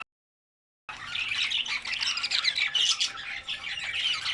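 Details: Albino red-eyed budgerigars, several birds feeding on vegetables; after a second of silence a dense, unbroken chatter of overlapping high squawks and chirps starts and runs to the end.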